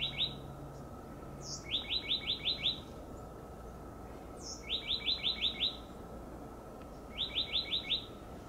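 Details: Oak titmouse calling noisily from a high perch. Quick bursts of five or six chattering, slurred notes repeat every few seconds, most after a single high thin note. Steady background hum.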